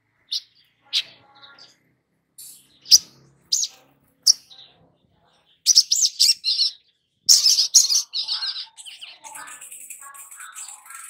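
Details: Long-billed spiderhunter song used to coax young birds into singing: scattered single sharp chirps, then dense bursts of high twittering and a trailing thin buzzy trill.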